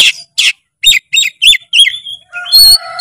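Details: Oriental magpie-robin in energetic, full song used as a training recording: harsh buzzy bursts, then a run of quick high whistled chirps and sharp rising notes, ending in a loud ringing trill.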